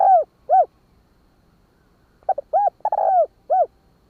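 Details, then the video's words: Spotted dove giving 'hạp bổi' style 'kích bổi' cooing. Two rounded coos end one phrase, then after a pause a full phrase follows: quick stutters, a hollow coo, a long falling coo and a final coo. "Tiếng chim cu gáy giọng hạp bổi Kích bổi"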